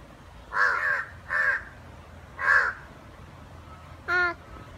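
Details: Two crows fighting: three loud, harsh caws about a second apart, then a shorter, more tonal nasal call.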